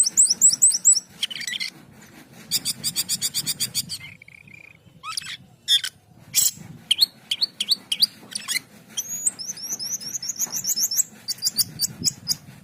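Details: Jalak keling, the Asian pied starling, in long varied song: rapid high whistled trills, buzzy rasping bursts, a level tone, sharp upslurred calls and repeated rising whistles, with low background hum.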